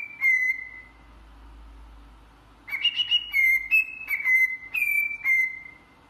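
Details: Cockatiel song: one long falling whistle, a pause of about two seconds, then a quick sequence of short whistled notes alternating higher and lower pitches.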